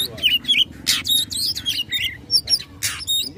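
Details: Oriental magpie-robin singing in a fighting, rival-provoking mood: varied whistled notes and harsh bursts between 2 and 8 kilohertz, broken and irregular, with a faint voice-like murmur underneath.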